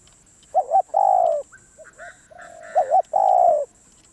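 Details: Spotted dove, a wild-caught bird, cooing loudly: a quick double note followed by a long, steady, low coo, given twice, with softer short coos between. A faint constant high electronic whine runs throughout.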